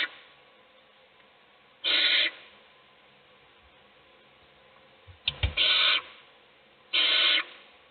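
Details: Owl mother feeding one chick in a nest box while the other chicks sleep; three harsh, hissing rasps of about half a second each, spaced irregularly, with a soft knock between the second pair and quiet background.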